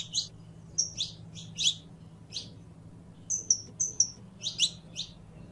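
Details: Canario criollo, or saffron finch, singing loud high chirps in pairs and a run of four quick thin whistles, with a low hum throughout.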